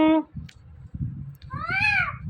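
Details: Indian ringneck parrot imitating speech: a brief falling tonal note, a pause with faint clicks, then one drawn-out nasal syllable arching up and down in pitch.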